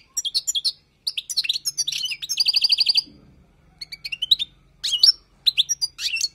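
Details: European goldfinch, a wild bird singing, used for tutoring: rapid tinkling twitters and buzzy trills, a dense run of high notes, then scattered chirps after a short pause.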